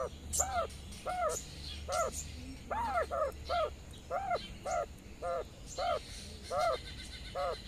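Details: Hen quail grazing in the sun, calling so her twelve young chicks follow her; louder arched, harmonic, slightly hoarse notes given in an irregular series, some in quick pairs, over scattered high chick peeps.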